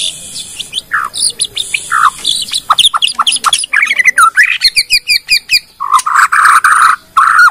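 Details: Bornean white-rumped shama producing varied song meant to lure other shamas into singing. Short slurred whistles are mixed with harsh squawky notes and fast ticking runs, then a burst of rich warbling.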